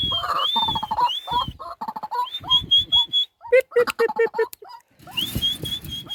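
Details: Caged decoy White-breasted waterhen used for hunting calls with high whistled sweeps, then runs of clipped hollow notes repeated rapidly, ending in a rough noisy burst with a high whistle.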